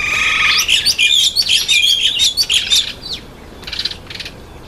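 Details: Red-winged starling eating an apple; a run of loud whistled and chattering notes, several per second for about three seconds, then quieter scattered chips over steady background hiss.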